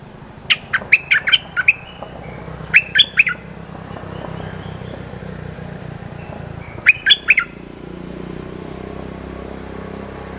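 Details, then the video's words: Cream-vented bulbul training song for young birds, repeated in three bursts of clipped chirpy notes separated by pauses, with a steady engine rumble from passing traffic throughout. "เสียงนกดอกแตงEp.173 เพลงหัดลูกเสอ/ลูกใบ้ เพลงสั้นๆน่าฟัง Suara pikat merbah lekir gacor"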